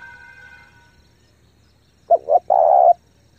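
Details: A single cooing phrase from a spotted dove lure bird calling hard to attract wild doves: two short coos and a long even one, preceded by a faint steady tone.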